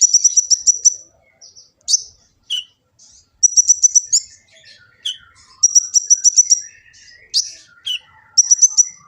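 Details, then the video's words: Olive-backed sunbird song with full filler, recorded by phone in Gresik, East Java, for training birds: fast high ringing trill bursts alternating with sharp downward chips and scattered soft twitters, fairly continuous. "Kicau burung kolibri ninja full isian cocok untuk pancingan & masteran burung konin jadi gacor"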